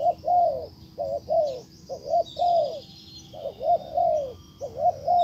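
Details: Decoy spotted dove calling to a wild bird: repeated soft cooing, quick double notes then longer arched coos, phrases about a second apart, over quiet high twittering of other birds.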